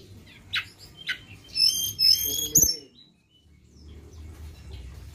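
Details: Flowerpecker sound used for luring: two sharp high ticks, then a fast run of thin, repeated high whistles, followed by a low knock and quiet.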